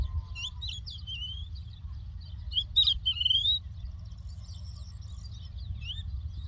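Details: Lark song recorded in the land of Doukkala: quick, high, sliding whistles and chirps in clustered bursts, busiest in the middle, over a low, even background rumble.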